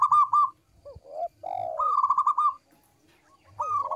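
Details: Local zebra dove, sung to lure other birds: rapid trilled cooing phrases alternating with short slurred, downward-bending coos, the phrases broken by brief silences.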